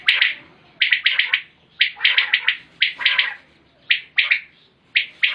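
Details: Common quail calling, recorded 2020 and shared as a quail-hunting sound: sharp, liquid clusters of two to four quick notes, repeated about once a second in an uneven rhythm, with no other clear sounds.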